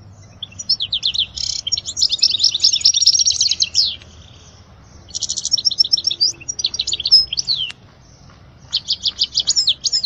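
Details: Song of a European goldfinch, played for tutoring young goldfinches; dense bursts of quick twittering and buzzy, rattling notes come in three bouts separated by short silences.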